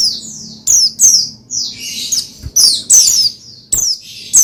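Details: Oriental white-eye (pleci) song for prompting another pleci to sing, a lively stream of high falling chirps, a buzzy rasping phrase in the middle, then more sharp twitters.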